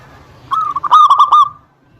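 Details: Local zebra dove song meant to draw a reply from rivals: one short phrase of soft rolling coos swelling into four or five louder bubbling notes, then fading.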